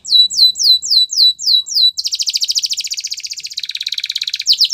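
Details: Gloster canary singing for training purposes: a run of looping rising whistles about three per second, then a long dense buzzing trill that drops in pitch, ending with a clear note.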